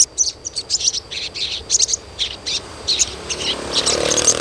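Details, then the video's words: Chirping of the Asian pied starling, used to provoke young birds into singing: dense run of high, clipped tweets and buzzy notes, nearly continuous, with low rumbling noise rising toward the end. "SUARA CUITAN SOGON UNTUK PANCINGAN SOGON BAHAN AGAR CEPAT GACOR"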